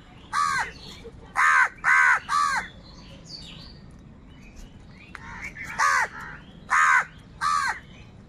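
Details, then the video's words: Hoarse caws from crows fighting other wild birds over food: a tight cluster of three loud calls, a pause with faint chirping, then single caws spaced about a second apart. "Crow bird live crowing sound - কাকের ডাক"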